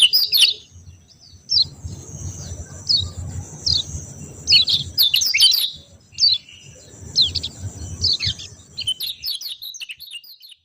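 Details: Over about ten seconds a yellow white-eye, kecial kuning, alternates scattered high falling chirps with several quick, tangled bursts of shrill twittering and one short buzzy note, the song thinning toward the end.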